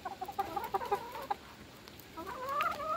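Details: Domestic hens being fed, a quick run of short clucks followed by a long, rising, whining call, with a faint noisy background.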